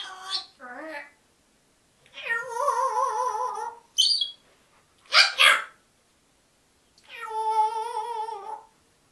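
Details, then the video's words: African grey parrot talking to the household dogs: wavering, warbled speech-like phrases in long harmonic bursts, with short sharp whistled notes and a brief clicking burst between them. "african grey parrot talking to my dogs"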